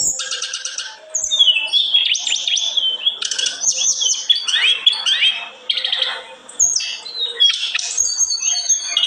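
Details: Sunda robin, known locally as tledekan gunung, in full vigorous song: rapid, varied high phrases of whistled notes, rattling trills and quick upslurs running almost without pause.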